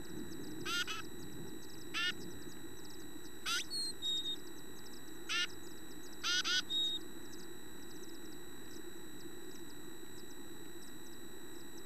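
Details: Chickadees at feeding time, adults feeding young and teaching them calls, give about six short, buzzy, nasal call notes, spaced one to two seconds apart, over a steady low rumble and faint high background tones.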